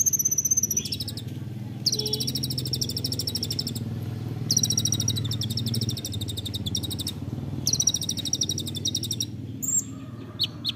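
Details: Olive-backed sunbird giving a 'nembak rapat' song, a dense rapid-fire style, used as a training recording for songbirds: high, buzzy trill bursts repeated in runs several seconds long, with thin upper whistles over a steady low rumble.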